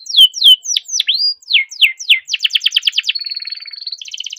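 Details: Caged canary delivering a long, dense rolling song used to stir other canaries into song: sweeping downslurred whistles give way to a rapid trill, then a steady held tone over a softer buzzy undertone.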